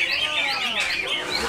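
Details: Greater green leafbird (cucak ijo) singing in the konslet style: a dense, unbroken stream of rapid warbled and whistled notes with quick upward and downward slides, continuous throughout with no pauses; faint low background noise.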